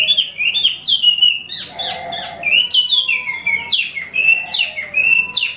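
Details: Caged imported Wambi mini (Tieu Mi) in full, non-stop song: clear whistled phrases that swoop and drop, delivered in quick bursts of about three notes per second, with a lower warbling undertone and faint background hum.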